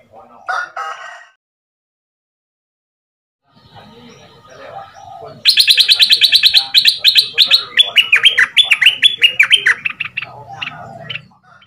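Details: Caged southern Thai red-whiskered bulbul, a new decoy bird two months in the cage, fierce 'sai boen' style. It sings to teach young birds. A brief call, a pause, then a loud run of fast, sharp, repeated whistled notes falling at the end.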